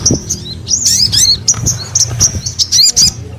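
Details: Sogon giving high, thin chirps and clipped whistles, some sharp and rising, spaced in quick repeated notes over a low background hum.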